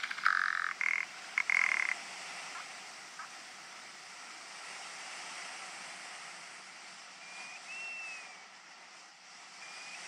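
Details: Rock ptarmigan during courtship display, giving short harsh rasping bursts in a quick stuttering series over the first two seconds, then quiet; thin rising whistles from another bird later, over steady background hiss.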